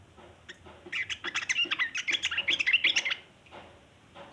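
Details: Yellow-vented bulbul giving a long chattering song, used as a lure for wild bulbuls: a dense run of quick, rough, bright chirps and twitters lasting about two seconds, with softer notes before and after.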